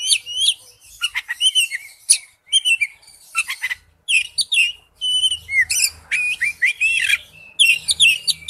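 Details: Oriental magpie-robin lure ringtone: rich varied song of whistled slurs, buzzy chatters and sharp chips in rapid succession, with light low background noise.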